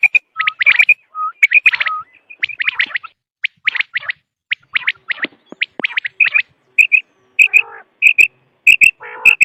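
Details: Quail calls from a recording used in hunting. Crisp high chirps and short slurred notes arrive in rapid, irregular groups, ending with louder clipped double notes and a couple of harsh, buzzy bursts.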